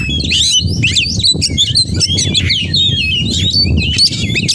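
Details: Oriental magpie-robin in nonstop song full of borrowed phrases, with dense high chirps, slurred whistles and rattles running together over strong low rumbling background noise.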